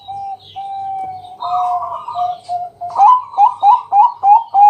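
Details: Night-time lure song of a loud Bangkok-type zebra dove, meant to set other doves singing: drawn-out level coos, then a fast series of short, rising, bouncing cooing notes about three per second.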